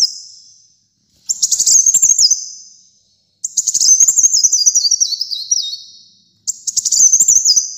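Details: Kolibri muncang, a sunbird, singing energetically for keepers to train caged birds. Three bursts of very high twittering notes that waver and step downward, each phrase about one to two seconds long, separated by brief silences.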